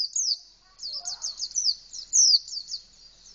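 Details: Indonesian white-eye singing in canary fashion, beak open wide, giving a brisk string of high, thin, falling whistles that run together into a twittering trill, with a faint low warble briefly behind.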